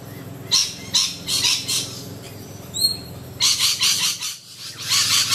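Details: Rainbow lorikeets in a group hanging around low branches: loud rasping screeches in quick runs, a brief thin whistled note in the middle, then dense chattering shrieks.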